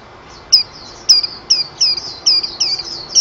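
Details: White-eye song heard more softly and at a distance: a slow series of thin, high, slurred whistles and chirps spaced roughly half a second apart over low, steady background hiss.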